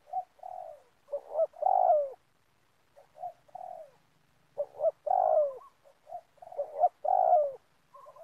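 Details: Spotted dove calling as a lure for bird trapping in a community oil palm plantation: clear phrases of low, soft, throaty coos, several notes each ending in a drawn-out descending coo, repeated about every two seconds over a quiet background.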